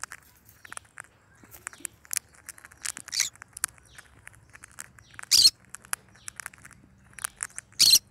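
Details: Pet yellow-sided and cinnamon green-cheeked conures: amid soft clicking and tapping, two loud, harsh, broadband squawks burst out about two and a half seconds apart, each lasting under half a second.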